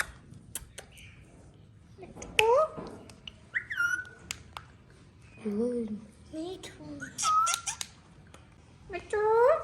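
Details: Hand-tame pet talking parrot indoors. Curving squawks, whistled slides and speech-like mimicked syllables in irregular bursts, with scattered clicks between them.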